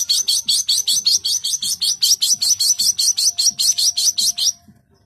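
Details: Long-tailed shrike (cendet) delivering a fast, even series of about twenty harsh high chattering notes, roughly two and a half per second, then stopping abruptly.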